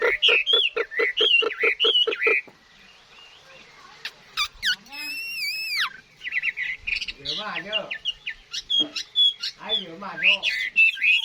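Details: Wild-caught adult Chinese hwamei singing: a rapid run of repeated rich notes, then sweeping whistled slurs and varied loud phrases with rising and falling warbles.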